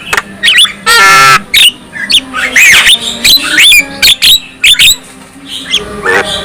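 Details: Song of a black-winged myna, said to set other black-winged mynas singing and excited: a harsh, grating screech, then squeaky rising and falling whistles mixed with abrupt clicks.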